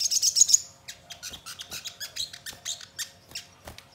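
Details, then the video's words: Sogon song used as a lure to make birds sing and answer: a burst of dense high chattering, then a run of short sharp chirps repeated roughly four times a second. "Pancingan Sogon Bahan Agar Cepat Bunyi Gacor dan Langsung Respon Nyaut"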